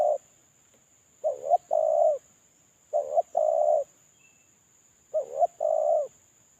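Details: Spotted dove in moult giving its lure call: three double coos about two seconds apart, each a short wavering note and then a longer even mellow note. A quiet constant high-pitched whine sits underneath.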